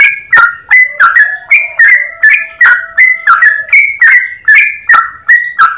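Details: Chatty yellow-vented bulbul with a long, clear-voiced rolling song: quick bursts of liquid whistled notes, close to one per second, while a faint low steady tone runs underneath for a few seconds.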